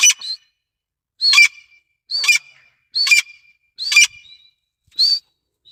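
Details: Grey francolin giving loud, harsh, high calls, one short burst roughly every second, each followed by silence.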